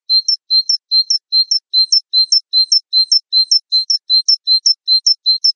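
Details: Java sparrow (Gelatik Wingko) in a tutor recording: high two-part chirps, a flat note then a sharp upslurred note, repeated briskly about every third of a second in a steady loop with no other sounds.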